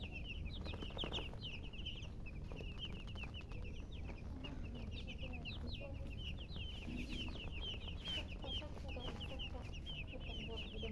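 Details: Chickens chirping nonstop: a steady stream of short, high, slightly downslurred peeps, several per second, with faint clucks and low background noise underneath.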